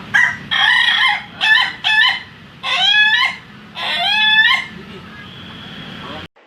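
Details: Contest-quality Ayam Ketawa rooster crowing: a buzzy opening followed by choppy, laughing syllable groups and a long steady closing note, with low background hum.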